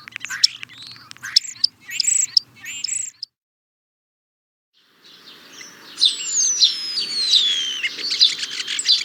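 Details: European starling song: a burst of squeaky, rattling and clicking notes, then a pause of near silence, followed by a long high whistle sliding downward over a busy chatter.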